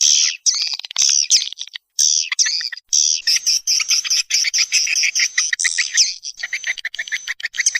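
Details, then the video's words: Lure call for attracting swiftlets: continuous high chattering twitter, shifting to a run of rapid repeated chips toward the end. "Suara Panggil Burung Walet"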